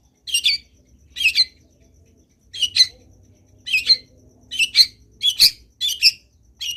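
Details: Long-tailed shrike in lively 'gacor' song, used as a tutor recording to spur other shrikes to sing: harsh, buzzy high bursts spaced about a second apart, growing denser toward the end, over a faint low hum.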